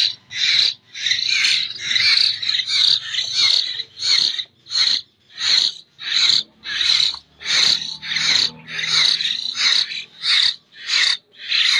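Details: Local Jember common hill myna chick, still fed by hand, producing a long series of separate, scratchy, hissing begging cries, about one and a half per second, each short and harsh.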